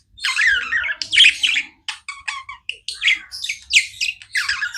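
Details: Several caged budgies chatter continuously: scratchy warbled phrases and clipped squawks follow one another in quick bursts, with brief gaps between the calls.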